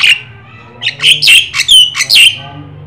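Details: Black-winged starling, locally jalak kebo or jalak sungu, white-eyed, in full active song meant to prompt other birds to sing: loud, harsh, squawking bursts with short whistled notes, about six bursts in quick succession.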